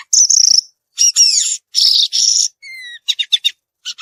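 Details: A violaceous euphonia in the wild sings buzzy high bursts, a falling whistled glide, then sharp chips in quick succession.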